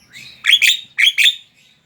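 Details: Javan myna song for provoking other mynas into singing: two pairs of bright, rasping chirps, each pair quickly doubled, with a faint rising note before them.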